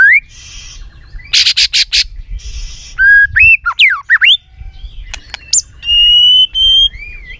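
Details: Many-voiced song of the white-rumped shama, played to excite birds into singing: harsh buzzy bursts and crackling notes mixed with looping whistles, quick twisting slurs and a long steady high whistle near the end.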